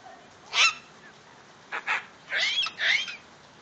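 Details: Pet female medium sulphur-crested cockatoo calling happily after seeing rain: one loud harsh screech, a quick pair of rough squawks, then two long grating, broad screams with warbling tones.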